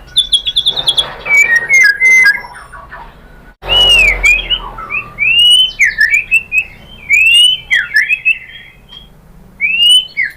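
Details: White-rumped shama (murai batu) singing a provocation lure for other shamas: steady high piping notes at first, then loud swooping and looping whistles.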